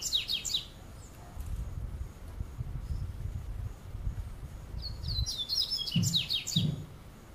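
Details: Double-collared seedeater in São Paulo state, Brazil, singing through a summer afternoon; a quick high twittering phrase opens, then low rumbling background noise, followed by another rapid run of slurred, descending whistled notes with two soft low thumps.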